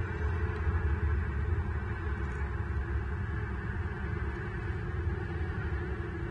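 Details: Steady low hum and broadband background noise throughout, with no animal calls.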